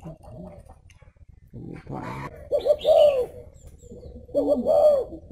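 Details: Spotted dove, thổ bầu có lèo song style: muffled noise and a brief voice first, then two clear low coo phrases, each a short note running into a longer rounded coo.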